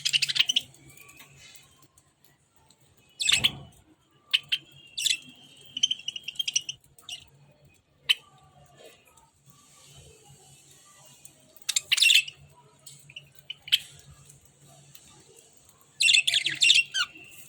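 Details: Budgerigars perched on a hand while eating food give scratchy, high chirps and warbles in short bursts, with a low steady hum behind.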